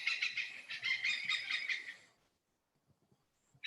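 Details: Oriental Pied Hornbill, a common, resilient hornbill of Kinabatangan, Borneo, giving about two seconds of harsh, rapid cackling notes with rich ringing overtones, followed by near silence and a few faint clicks.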